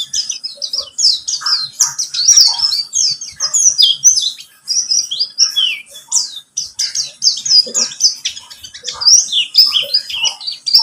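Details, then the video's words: Extended twittering song of a pleci buxtomi white-eye, played to get other birds singing: long runs of high, rapid, downslurred chirps, only briefly broken near the middle. "Pancingan pleci buxtomi agar bunyi"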